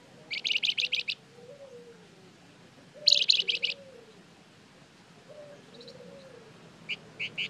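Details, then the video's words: Flamboyan bird singing as a lure to draw responses from other birds: two bursts of about six rapid, high chirps separated by a pause, later a few scattered single notes, with soft lower warbling sounds in the background. "Suara pancingan burung Flamboyan gacor terbaik , pasti nyaut"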